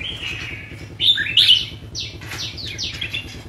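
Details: Red-whiskered bulbul held as a cage bird, singing a soft whistled line, then loud, bright warbled notes followed by a series of quick, descending whistled slurs. A low background hum is present.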